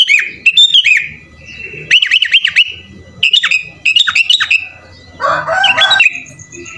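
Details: Sooty-headed bulbul singing vigorously with a song full of imitations; repeated bursts of bouncing, falling whistled notes about once a second, with a harsh noisy burst near the end.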